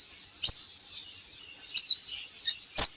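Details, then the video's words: Kolibri ninja sunbird, used as a training recording to prompt kept birds to sing, gives high thin chirps and short sliding whistles spaced about half a second apart, ending with a sharp click. "PANCINGAN KOLIBRI NINJA Bahan Agar Bunyi || MASTERAN Konin Agar Cepat Gacor"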